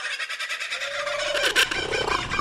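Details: Kookaburra laughing call that resembles human laughter: a short burst of harsh, cackling notes over a long, steady, slightly rising hoot, with a brief loud chatter near the middle.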